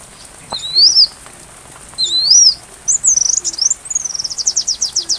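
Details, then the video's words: Two rising-falling thin whistles from a sunbird, then a quick burst of sharp high ticks and a series of descending chirps, with rain in the background; meant for teaching a white-rumped shama. "Masteran Rajanya Isian Kolibri"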